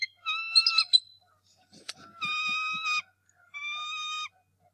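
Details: Nest-defending male bald eagle confronting an intruder at the Decorah North Nest, morning of March 2, 2018, early in the breeding season: harsh chattering squeal, a sharp click, then two sustained piercing whistled screams.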